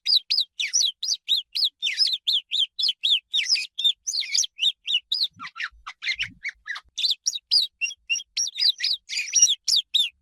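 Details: Real swallow chirping, an agile urban and migratory bird: quick run of high twittering notes and whistles, a brief lower scratchy stretch midway, then the fast bright chirping resumes, nearly four notes each second, clean background.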